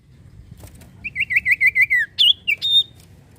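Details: Common iora singing steadily, used as a lure to get untrained and silent birds to sing: eight rapid wavering whistles falling gradually in pitch, then three higher, sharper notes ending in a level tone.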